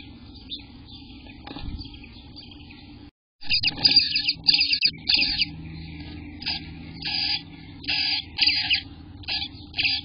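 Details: Eastern bluebird nestlings, day 18 after hatching, June 24 2021, between 6 am and 1 pm, give bursts of high, raspy, hissing begging calls, about a second long and repeated irregularly, after a few seconds of faint background hum.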